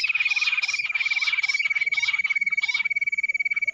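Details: Bush quail in the jungle, lured in with a mobile phone: a steady, rapidly pulsed high whistle, about four pulses a second, runs throughout under bursts of short, chirpy downward notes.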